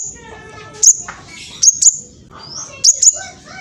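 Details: Juvenile spotted-plumage black sunbird from East Java, Indonesia, phone-recorded, singing fast to provoke rival males: a few very high, thin, sharp chirps in pairs, separated by pauses, over a low steady background hum.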